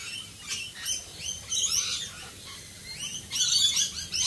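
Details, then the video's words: Several rainbow lorikeets calling in the rain in Australia: shrill, rasping chatter with short rising squeals, growing busier toward the end, over steady rain. "Australian Rainbow Lorikeets Singing in the rain."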